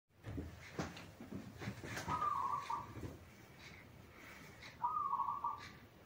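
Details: Zebra dove song used as a master recording for training young doves still learning: soft trilled cooing phrases, each about a second long, preceded by scattered clicks and knocks.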